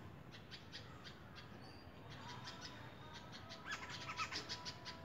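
Red-vented bulbul giving short, bright chirping notes, with a louder burst of cheery calls near the end over a steady background hiss.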